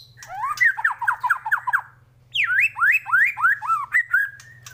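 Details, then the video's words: Morning training song of the white-rumped shama (murai batu): a rattling run of rising, slurred notes, a one-second pause, then a series of loud descending whistles with squawky edges. "pANCINGAN masteran pagi agar MURAI BATU gacor!!!"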